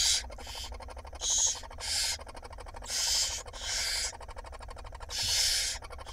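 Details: Harsh rasping hisses from five barn owl nestlings being fed by their mother at night in an Israeli nest box, April 2021; broad noisy bursts come almost back to back with faint rhythmic clicking between them.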